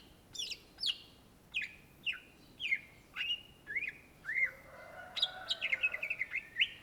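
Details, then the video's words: A Greater green leafbird (Chloropsis sonnerati) in full song gives a string of sharp, high, down-slurred whistles about twice a second, then breaks into a quicker run of varied chirping notes. "SUARA BURUNG CUCAK IJO GACOR"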